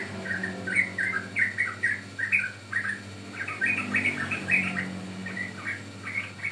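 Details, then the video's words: Sooty-headed bulbul song used as a lure and training recording for caged birds: bubbly, warbled two- and three-note phrases in short bursts, with a steady low hum underneath. "Pancingan Ampuh Burung Trucukan Paud"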